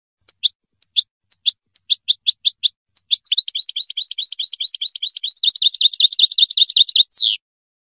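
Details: Goldfinch song played so young birds learn it: spaced paired whistle-and-chirp notes for three seconds, then a rapid tinkling twittered run with layered high notes, closing in a short descending buzz.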